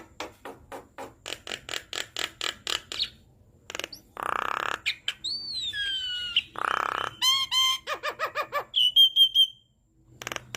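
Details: Javan myna master song for prompting captive birds to sing: a long series of sharp ticking clicks, then rasping buzzes, sweeping whistles, a stuttering harsh rattle and a high trilled whistle.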